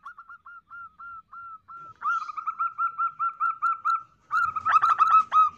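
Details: Female zebra dove: a rapid, even series of short mellow cooing notes, about four a second, growing louder and rougher toward the end with some clicking noise.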